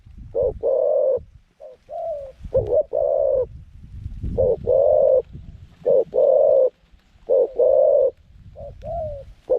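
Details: Decoy zebra dove, good at long cooing, calling to attract wild doves to a pen trap; series of loud rolling coos alternating with softer short phrases over low rumbling background noise.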